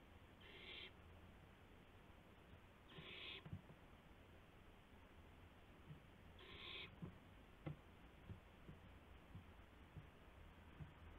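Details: Owl on April 7 2016 near 12:25 AM, during a gopher delivery: three breathy hissing screeches spaced two to three seconds apart, followed by scattered soft knocks and scuffling.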